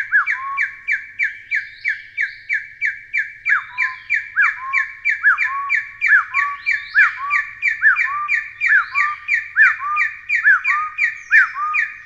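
A Taiwan hill partridge gives a long, steady series of loud, harsh whistled notes, about two or three a second, in an otherwise quiet setting.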